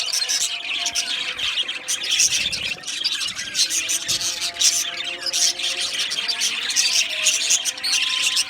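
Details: A colony of Australian budgies in an aviary keeps up continuous busy chirping and scratchy warbling from many birds at once, with steady faint low hum-like tones running beneath.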